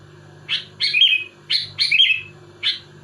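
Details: Sooty-headed bulbul in full song, pressing rival bulbuls: five bright chirps within three seconds, two of them stretched into short liquid warbles, with a faint constant low hum behind.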